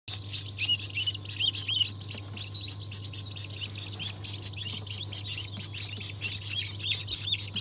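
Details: Newly hatched chicks of Cream Legbar, Australorp and Ayam Cemani breeds, hatched 7 February 2023: a dense chorus of many high, sharp peeps overlapping continuously, with a steady low mechanical hum underneath.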